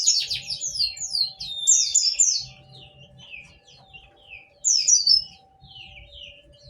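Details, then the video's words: Cascading white-eye twitter of quick descending notes, fading to softer chirps before a second loud burst near the end; a low hum persists. Meant to prompt silent white-eyes to sing back. "Semua Jenis Pleci langsung nyaut mendengar suara pleci ini"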